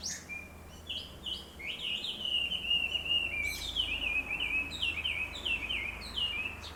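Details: At sunrise, birds flocking to a big black locust tree in town sing an unbroken string of wavy, whistled chirps, dipping and rising over a low background hum.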